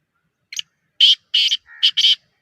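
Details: Black francolin, a captive bird offered for sale, gives a harsh grating call of several short buzzy bursts, with a brief quieter note between.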